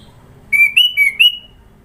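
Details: Sooty-headed bulbul in Sidoarjo, East Java, singing a varied, many-noted song: four bright whistled notes in quick succession that alternately step slightly up and down, the last note trailing off, with little background sound.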